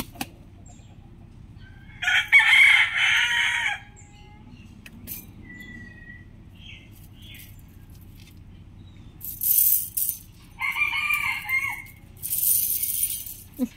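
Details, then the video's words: Roosters crowing in a compilation of different birds: two loud, raspy, drawn-out crows about seven seconds apart, with a third shorter burst, and faint small-bird chirps and clicks in between. "Rooster crowing sound effects | Beautiful roosters crowing | Most beautiful roosters calling sound"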